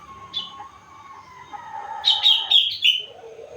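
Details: Sooty-headed bulbul aged four months singing imitations: a soft drawn-out lower whistle, then a loud burst of rapid bright chirped notes and a brief low ending note.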